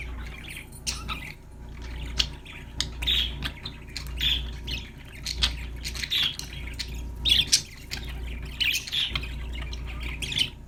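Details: Happy budgies chattering: irregular bursts of squeaky chirps and short harsh squawks, roughly one burst a second, rising and falling in loudness over a steady low mechanical hum.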